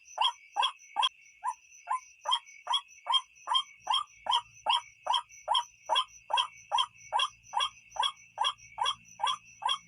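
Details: Night luring recording of a white-breasted waterhen: loud, regular croaking calls repeated about two and a half times per second. A constant high-pitched tone sits in the background, and a low rumble comes in the second half.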